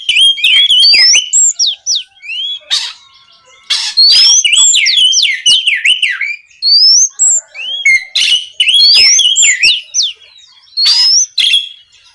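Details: Oriental magpie-robin (kacer) in full, energetic night song, played to provoke rival birds to answer and sing. It mixes rising and falling whistles, rapid slurred phrases and harsh bursts, with brief gaps between sections.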